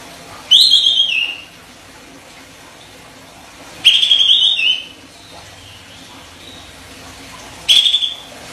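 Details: Kapas tembak master song, olive-winged bulbul, sharp and tight 'besetan rapet' delivery: three short piercing whistled bursts with a rapid warble slurring downward, roughly every three seconds, faint hiss between.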